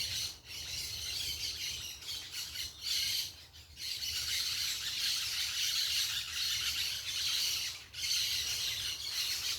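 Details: Parakeets chattering in nature: continuous shrill, grating squawks from many birds, with short lulls around the two-, four- and eight-second marks.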